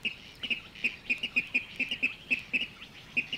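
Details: Water Rail in the Matsalu reed beds giving a fast run of sharp, nasal, high notes, roughly four per second and slightly uneven, some notes slurred. The calls sound close and loud against a quiet background.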